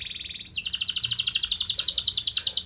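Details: Canary lure song: a brief soft trill, then from half a second a loud, very rapid, even rattle of high notes continuing to the end.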